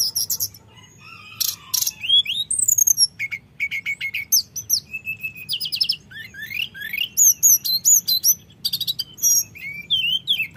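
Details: Flute-like rolling lure song of a common iora, used to provoke rivals: scattered high whistles and slurred notes, then dense bursts of quick chirps and rising-falling whistles, with faint background hum.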